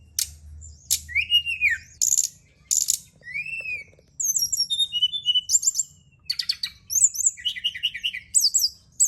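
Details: Brown-chested jungle flycatcher song used at night as a lure and therapy to get birds singing more: high, varied whistled phrases with sweeping slurs and quick chattering notes, separated by short pauses; faint low hum underneath.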